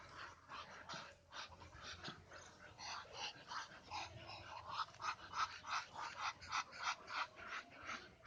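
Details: Hissing Muscovy duck, starting with uneven breathy puffs, then settling into a steady series of husky, forced exhalations about three per second, each carrying a faint tonal edge.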